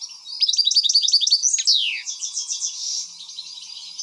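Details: An excited European goldfinch gives a quick series of evenly spaced chirps, then a sharp, sweeping note that slides downward. It flows into a buzzy, tinkling warble that fades slightly toward the end.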